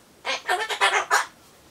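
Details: Captive Solomons corella chattering alone as it waits for a pumpkin treat, in a goodbye-and-see-you mood: five rapid, raspy, voice-like syllables in a quick run lasting just over a second.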